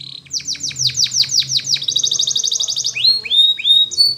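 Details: Canary training song in Spanish Timbrado style: a run of about ten rapid descending whistled notes, then a fast buzzy trill, followed by rising sweeping whistles, all bright and high-pitched.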